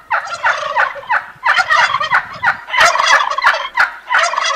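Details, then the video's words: Turkeys gobbling almost continuously, overlapping harsh rattling bursts blending into a dense, chattering chorus with barely any pause. "صوت الديك الرومي"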